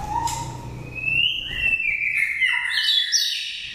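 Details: Wild-voiced oriental magpie-robin, nest-raised in Dak Lak, Vietnam, five seasons old, kept for luring or stimulating birds. A low whistle leads into a long sliding whistle that rises, dips, then climbs into higher warbling notes.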